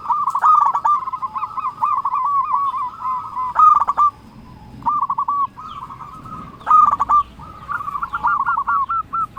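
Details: Local zebra dove in full song to challenge rivals: loud phrases of fast, bubbling coos, each phrase rolling into a trill, repeated with short gaps about every few seconds.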